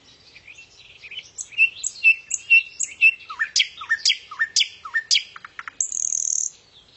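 A nightingale sings a rich, varied phrase of quick chirps and descending whistles, ending in a dry buzzy trill; the background is quiet.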